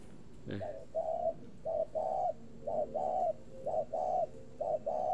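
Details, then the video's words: Caged spotted dove in northern Vietnam continuing a long cooing bout, mellow two-part coos about once a second, with a brief sharp click near the start. "chim cu gáy gù gì mà dài hơi thế ko biết kỷ lục 37 có được phá ko?"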